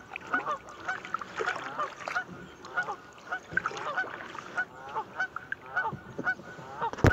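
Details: Canada geese mouthing off on Buzzard Roost Creek in Alabama: a dense flock chorus of harsh, nasal honks and cackles overlapping throughout, ending in a sharp loud thump.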